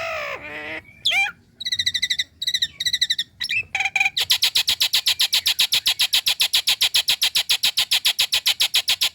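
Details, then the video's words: Female Nias hill myna calling the male. A falling, nasal wavering call and short chirped series lead into a long, steady train of loud, harsh broadband notes, about four each second. "Kicau Jalak Nias Betina Memanggil Jantan"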